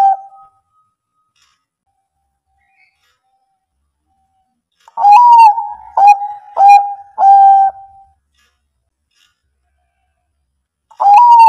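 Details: Zebra dove of the Bangkok type singing to coax quiet birds into answering: a stretch of silence, then a four-note phrase of short, throaty coos in quick succession, with another coo starting at the end.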